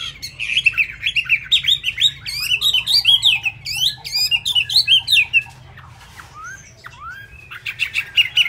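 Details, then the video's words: Chinese hwamei in a cage in Vietnam, singing at speed with feathers still damp: dense, continuous chattering and whistled warbles for about five seconds, a brief quieter gap, then the burst resumes. "Họa Mi tuyệt vời với tốc độ mỏ khi lông lá còn chưa khô"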